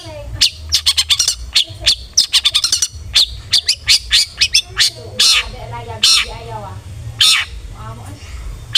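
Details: Long-tailed shrike lure for provoking aggressive song in a kept bird: rapid clicking, harsh chattering notes in quick runs, followed by a few loud rasping bursts spaced about a second apart, low hum beneath.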